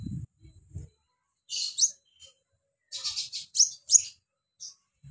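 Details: Mountain white-eye singing actively: two clusters of high, thin, buzzy chirps with sharp upward-sweeping notes, separated by a quiet gap, with low rumbling thumps at the start and end.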